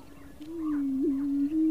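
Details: Wild greater prairie chicken in Colorado, USA, giving a deep, even, hollow hum that barely changes pitch across nearly two seconds, with a brief upward wobble midway and a clean, quiet background.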